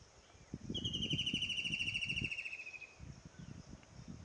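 A White-throated kingfisher gives a loud, rapid whinnying trill that slides gently downward in pitch.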